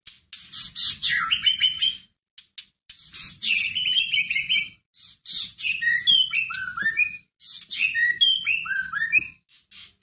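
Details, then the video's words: White-rumped shama lure song for provoking a caged bird into singing: four bursts of varied whistling and chattering about two seconds long, each mixing high scratchy notes with falling whistled slurs, separated by short pauses. "Pancingan masteran pendongkrak emosi murai batu loyo langsung nyahut Gacor"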